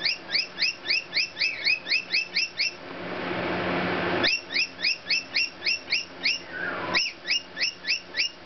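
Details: Rainbow lorikeet singing to cockatiels: a rapid series of short, identical rising chirps, about four per second, in bursts broken by a loud rushing noise.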